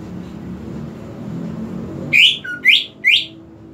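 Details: Greater green leafbird, played as a lure to prompt a leafbird that will not sing: after low background rumble, three loud, quick, rising whistled notes about half a second apart, with a short low note between.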